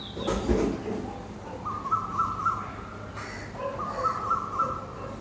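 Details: Asian koel perched in a tree in a park in the morning, giving two runs of short clear notes on a steady pitch, each run rising in steps, over a soft hum of background noise.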